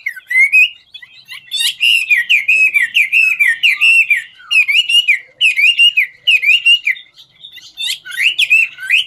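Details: Ngũ trường song from a hwamei that dances as it sings: loud bursts of rapid rolling whistles and warbles, broken by short pauses, each burst packed with rising and falling slurred notes.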